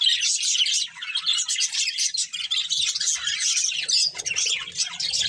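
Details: Budgerigars from a breeding pair chirping steadily: rapid high twitters and raspy warbles run almost without a break, dipping once near the one-second mark, with soft low knocks later.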